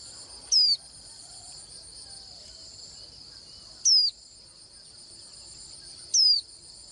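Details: A Swinhoe's white-eye repeats a short, piercing whistle that falls in pitch. It is given three times, roughly every three seconds, over an even, high-pitched insect drone.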